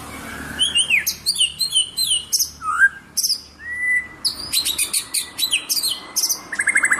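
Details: Singing strongly, a white-rumped shama (murai batu) pours out a dense, varied song of quick high chirps, sweeping whistles and slurred notes, with a steady whistled tone and a rapid trill near the end.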